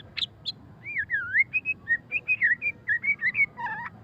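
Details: Murai batu (white-rumped shama) in ngeriwik style: a quick string of clear whistled notes, some swooping down and up, repeated more than once per second after two sharp high chips at the start.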